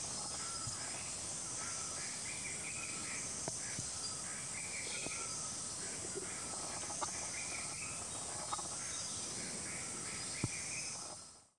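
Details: Repeated thin, high whistled phrases from a white-gorgeted flycatcher, subspecies leucops, at Doi Lang, Thailand, February and March; short slurred notes in phrases every second or two, under heavy steady insect noise with occasional clicks.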